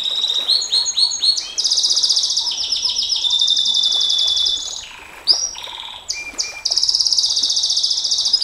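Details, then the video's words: Champion-style canary singing long phrases, used for tutoring and luring other canaries: dense high rattling trills held for several seconds, a brief break with sharp upward notes, then another sustained fast trill. "Suara KENARI NEMBAK PANJANG, Untuk Masteran Dan Pancingan KENARI SANG JUARA, Canary Sound"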